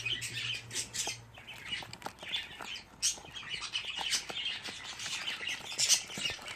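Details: Budgerigar babies, fifteen chicks grouped together, produce a crowded stream of shrill, rasping chirps and squawks, some sharper bursts standing out, over a faint low hum early on.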